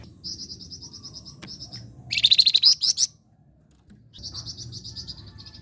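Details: Song of a flame-breasted flowerpecker, recorded for training competition songbirds: a fast, even string of high ticking notes, then a louder buzzy trilled burst, a short silence, and the ticking series again over faint low hum.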